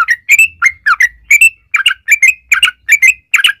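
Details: Bubbly, liquid chirps and short slurred whistles from a yellow-vented bulbul in 'ropel panjang' song, used as a lure for other bulbuls; notes come in quick pairs and triplets over a faint low hum.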